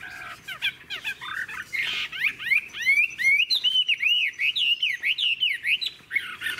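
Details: A captive, old wild-caught Chinese hwamei in fine condition sings a loud, rich medley of rising and falling whistles, switching voices, then a fast run of repeated looping notes, several each second.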